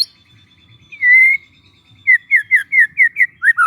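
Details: Young forest White-rumped shama used as a relaxed lure: a long clear whistle followed by a steady string of short downslurred chirps repeated about every quarter second.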